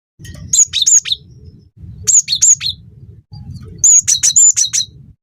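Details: Cinereous tit in lively singing form, recorded as a tutor track to train songbirds and prompt them to sing: three bursts of high, thin whistled notes in quick pairs and runs, over a steady low hum.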